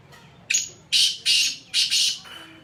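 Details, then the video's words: Sindhi black francolin giving a loud, harsh call: a series of grating, broadband bursts, each about a quarter second long, with a brief gap between the second and third notes and a softer trailing note at the end. "Sindhi Kala Tetar Awaz"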